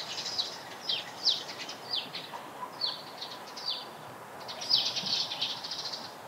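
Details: Eurasian tree sparrows at a pond in Japan, where sparrows were seen gathering nest material, give a string of short, bright, downward chirps about every half second, ending in a denser burst of overlapping chatter.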